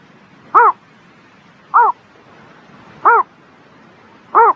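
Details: Spring-morning bird song of four clipped, rasping notes, each rising then falling, spaced about 1.25 seconds apart over a soft steady background.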